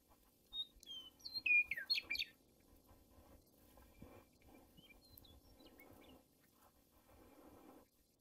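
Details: Western meadowlark (Sturnella neglecta) singing in Montana: a burst of clear, flute-like whistles sliding downward, then a quick jumbled gurgle; fainter chirps follow over a steady low rumble.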